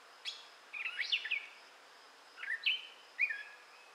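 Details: Singing gray catbird, southwest Michigan, May 2011: a high sharp note, then a cluster of squeaky slurred notes, followed after a pause by two short warbled phrases against a quiet background.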